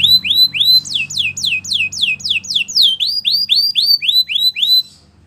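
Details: Belgian canary song for training: a rapid, even trill of clear rising whistled notes, about four per second, slightly shifting in pitch midway, running five seconds before stopping, faint low hum beneath.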